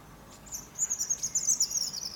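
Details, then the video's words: European robin on a fir tree in the morning, delivering a short, very high, shimmering trill of rapid thin notes lasting under two seconds, with soft hiss underneath. "Niesamowity śpiew rudzika."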